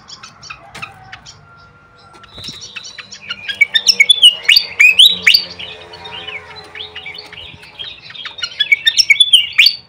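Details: Flycatcher lure sound played to watch birds' reaction: a few scattered ticks, then a lively run of fast high chirps and twisting whistled notes, rapidly repeated, with a faint lower whistle and background hum.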